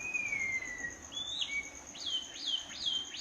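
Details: Midnight birdsong: one long, thin, descending whistle, then sharp, rising-then-falling chirps repeated about every half second, with a constant high whine and soft background hiss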